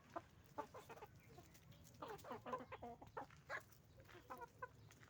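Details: Roosters and hens on a chicken farm cluck continuously, short harmonic notes overlapping in an uneven stream, louder and denser in the middle stretch.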